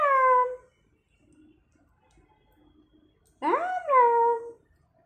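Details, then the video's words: Talking Alexandrine parakeet repeating words like "Ram Ram": a short falling voice-like syllable, a three-second gap, then a two-part phrase with a rising start and a drawn, falling ending. "राम राम बोलने वाला तोता || Alexander Parrot voice || Talking Alexander Parrot"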